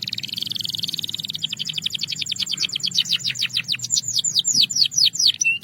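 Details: A Belgian canary delivers calm, clear song. A smooth buzzy roll gives way to a long series of descending chirps, which slow and widen toward the end of the phrase.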